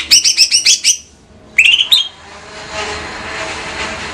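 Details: Greater green leafbird of Banyuwangi stock, caged, singing a quick series of bright repeated chips, a short rising whistled burst, then faint background rumble like passing traffic.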